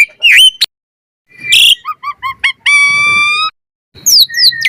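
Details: Asian pied starling (jalak suren) lure song for training, gacor style full of variation: loud whistled notes, a rising-falling squeal, quick stepped chirps and a long harmonic-rich whistle, with short gaps between phrases.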